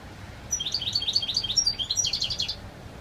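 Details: Wild European goldfinch singing a clear, pure song: a fast run of bright, tinkling twitters and short whistled notes with buzzy trills, steady for about two seconds over light background hiss.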